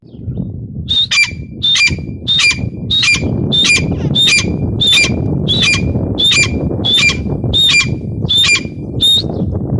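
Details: Female grey francolin calling: a steady run of about thirteen loud, sharp notes, each a bright whistled tone with a harsh edge, spaced roughly every three-quarters of a second over a low rumbling background.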